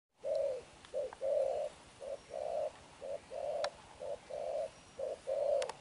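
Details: Newly caught wild spotted dove cooing rapidly at noon: short, husky low coos in quick uneven groups of short and longer notes, about one per second, over faint background hiss and a few sharp clicks.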